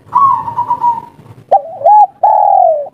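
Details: Local spotted dove in kuk 3 style calling to a female: a quavering soft opening note, then a short coo rising to a held tone and a long, gently falling coo.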